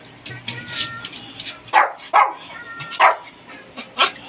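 A cockatiel imitates human speech in short, raspy, word-like bursts with faint whistled tones between them.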